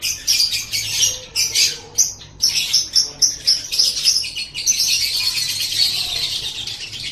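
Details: Lovebird singing on a master recording used to train cage birds: rapid high chirps and twittering notes in quick pulses, running into a continuous buzzy chatter over the last seconds.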